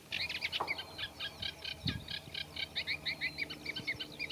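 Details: A Eurasian reed warbler sings in a reed bed: a steady, scratchy, chattering run of notes, each phrase repeated two or three times. The song includes mimicry of other birds of the habitat, notably Common Redshank, over a faint low rumble.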